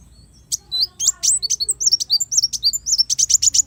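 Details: Brown-throated sunbird (kolibri wulung) song, offered as a master recording for training songbirds: a lively, dense run of very high, sharp chirps and quick down-slurred whistles starting after a half-second pause.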